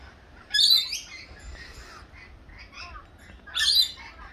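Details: Rainbow lorikeets in a feeding frenzy give two loud, harsh, grating screeches about three seconds apart, with softer chattering and squeaks from the flock in between.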